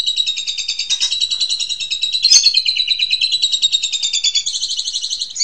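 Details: An unbroken high buzzy trill of quickly pulsed notes, briefly broken by a sharp accent midway, from an Asian pied starling master song used to train young birds.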